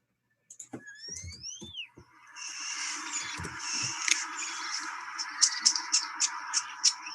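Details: European Starling song played back by a researcher, one of four sections: opening rising and falling whistles, then a dense stretch of high, rattling, buzzy notes with sharp squeaky accents repeating toward the end.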